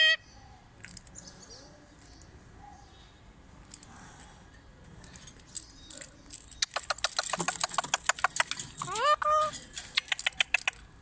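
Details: A pet rose-ringed parakeet courting a female and talking, said to say 'habibi' to her: a quiet start, then fast clicking, scratchy chatter and rising, voice-like squawked phrases in the last few seconds.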